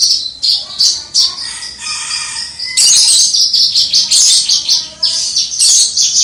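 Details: Continuous high song of a kept Javan bush lark in gacor crystal style, heard at a distance: quick ringing chirps about three per second, a sustained trill in the middle, then a denser burst of sharp notes.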